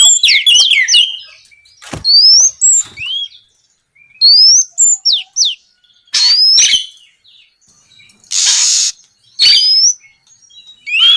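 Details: Oriental magpie-robin singing at night to prompt rival birds into response; spaced phrases of clear rising whistles and slurred downward notes, sharp clicks, and one long harsh hiss.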